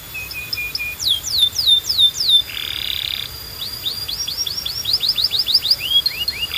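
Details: Singing canary for coaching young birds: rapid downward-sweeping whistled notes in rolling series, broken by a harsh buzzy burst, then resuming as a quick, regular run of sliding notes.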